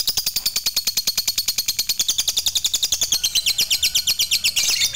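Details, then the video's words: Long ngekek from a fighter lovebird, played to prompt other lovebirds to sing: a steady, shrill, machine-gun chatter of high notes, about eight per second, running without a break. "Dengar Fighternya Bisa Buat Lovebirdmu GACOR Rajin Ngekek Panjang"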